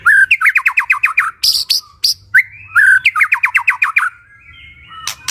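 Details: Birds chirping for relaxation: two loud runs of rapid, repeated whistled notes, each about eight or nine strokes long, broken by harsher high squawks and clicks.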